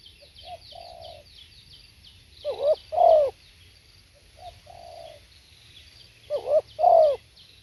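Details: Spotted dove recorded live: two coo phrases, each a soft short note, a longer level coo, then a loud double 'croo-coo' with a downward bend, repeating about every four seconds; faint high thin whistles in the background.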